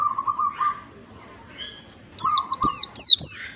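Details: White-eye ngalas-style song aimed at stirring a lazy bird to sing. A low buzzy trill comes first, then four high, sharp down-slurred whistles in quick succession, with a lower trill beneath them.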